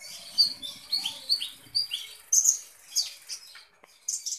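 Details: Actively singing kolibri ninja sunbird giving a string of high, thin, slurred chirps roughly every half second, then a few brighter sharp notes and buzzy bursts.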